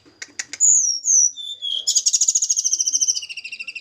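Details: Javanese mountain snowy-browed flycatcher kept for pairing. Sharp clicks lead into high whistled slurs that fall in pitch, then a long, even, rapid trill.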